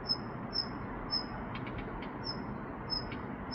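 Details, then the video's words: A Daurian redstart, the red-breasted bird, gives thin, high whistled notes about every half second, with a few soft ticking clicks, over a steady low rushing background. "딱새 울음소리"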